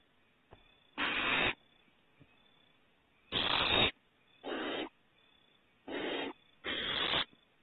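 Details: Owlets out of the nest on their second adventure at Starr Ranch, 21 April 2018, produce five rasping, hiss-like bursts at uneven intervals, the later ones shorter and slightly softer, over a calm, quiet backdrop.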